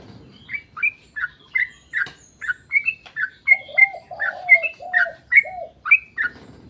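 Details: Sooty-headed bulbul singing energetically as a lure for others of its kind: steady series of short, sharp chirps roughly every half second, overlapped midway by lower, drawn-out cooing notes from another bird.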